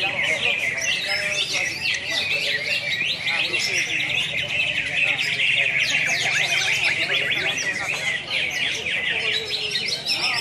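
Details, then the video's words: Contest chorus of greater green leafbirds at a national singing event in Pontianak, Indonesia, 3 April 2016: a steady wall of bright, fast-modulated whistles and trills from several birds, with a soft human hubbub. "BURUNG CUCAK HIJAU"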